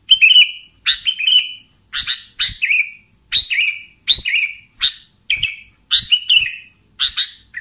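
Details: Sooty-headed bulbul lure call used to attract bulbuls for catching: short bright chirped notes with a wavering, downslurred tail, given in pairs and repeated roughly every half second, with a faint steady high tone behind.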